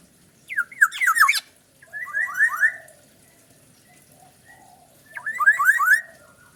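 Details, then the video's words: Black-naped oriole, a kepodang, singing: bursts of fast, rich, downslurred whistled notes repeated in quick runs, separated by quieter pauses with softer notes in the background. "kepodang unik super galak"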